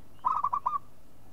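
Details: Single phrase from a local zebra dove lure call: four or five quick, rounded coos run together in under a second, then quiet.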